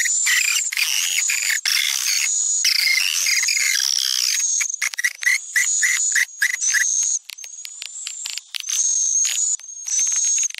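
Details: Swiftlet lure sound popular in Sumatra, meant to attract the birds: steady buzzy chattering at first, then quicker clipped chirps about four per second with high whistled lines above.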